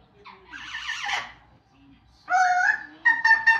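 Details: Amazon parrots vocalizing in a long uncut stretch of mimicry, including opera, sirens and Pac-Man sounds. A quavering, trilled cry is followed by a loud, steady, harmonic tone and three short, clipped repeats of it.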